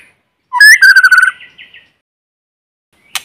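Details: White-rumped shama in forest giving one short whistled phrase, a rising note sliding into a rich warbling trill that fades, followed by silence and a brief click.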